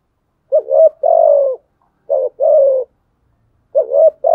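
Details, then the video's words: Fighting coos of a spotted dove calling against rivals. Two full phrases are heard: a quick double note, then a drawn-out mellow coo that sinks at the end. A third phrase is cut off at the close. No background noise. "Thúc gù chim cu gáy bài bản nhất hiện nay. gù thúc bài bản, kích bổi rất riêng gáy, cu đất gù đấu"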